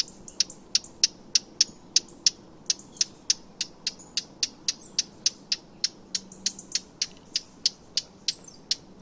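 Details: Eurasian blackcap call from a wild bird: a steady run of sharp, hard tac clicks repeated about three times a second for nine seconds, with faint other birds behind.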